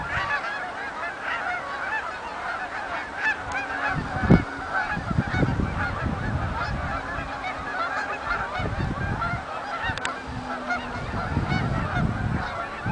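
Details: Canada geese coming in at Oak Hammock Marsh and Fort Whyte: a steady distant wash of honking from a big flock, with occasional low thuds and a faint hum.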